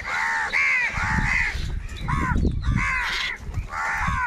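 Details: Loud, raspy caws as crows fight over food, bursts from several birds close together, with low rumbling noise below.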